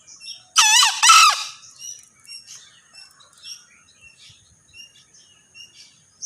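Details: Hoarse two-burst crow of a male green junglefowl, both rough wavering notes packed into under a second, followed by scattered thin, high chirps of other birds in a quiet setting.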